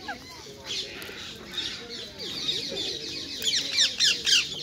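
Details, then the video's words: Wild ringneck parakeets feeding on sunflower seeds, nuts and apples in Hyde Park, London, giving harsh, high screeching calls that grow louder and denser toward the end, over a murmur of background chatter and other birds. "Wild ringneck parakeets enjoying 3 course meal in Hyde Park London"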